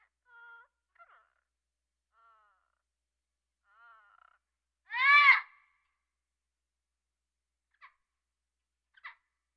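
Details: African grey parrot calling in a quiet setting: a short whistled note, soft chattering fragments, then one loud harsh, harmonic squawk near five seconds, followed by two brief clicks.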